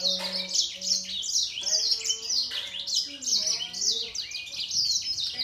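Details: Two singing finches, grey singer and green singer, in a singing duel: continuous bright twittering with quick descending trills, two short low hummed tones at the start, and a lower curving whistle around three seconds.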